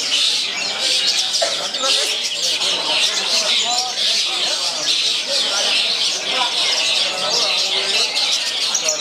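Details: Long-tailed shrike (Lanius schach), a captive contest bird hand-raised from fledgling, placing second in a singing competition; dense, continuous high chattering song with rapid varied notes throughout, loud and unbroken.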